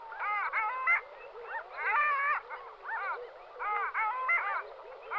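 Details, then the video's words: Long-tailed duck calling: nasal, yodelling notes rich in harmonics, rising then falling in pitch, given in quick bursts of two to four notes with short gaps, repeating steadily over a quiet background. "Clangula hyemalis"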